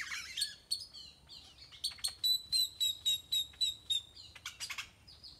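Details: Many birds in a tropical tree in Nayarit, Mexico, sing together: high, thin chirps and a run of about a dozen quick, sharp notes, roughly four per second, with overlapping twittering.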